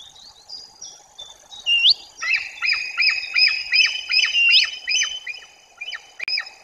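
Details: White-tailed eagles near their nest in Bory Tucholskie, Poland, during the 2024 breeding season as the female Pola drives off Tolek: a fast series of high yelping notes, two or three a second, after a few thin whistles.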